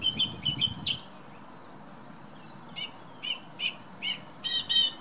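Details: On a windy morning, a thrush sings by a bedroom window: a quick triple phrase of notes, a short pause, then separate clear notes spaced out, ending in a rattling phrase, with wind noise low behind.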